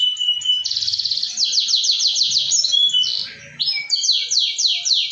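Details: A canary's lure song for a bird that has stopped singing: a high rapid trill, then a sharp chattering roll, a short dip in volume, and another quick series of descending buzzy notes.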